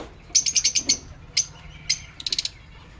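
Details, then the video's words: Aviary lovebirds chirping: a fast run of five high, bright notes, then two isolated chirps, then a closing cluster of four quick tweets. "Lovebird Singing & Chirping Sounds"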